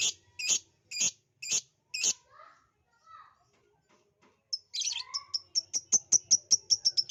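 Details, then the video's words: Lovebird chirping used as a lure: five evenly spaced shrill chirps, a few soft lower notes, then an accelerating series of thin, piercing high chirps. "pancingan ampuh love bird jadi bunyi"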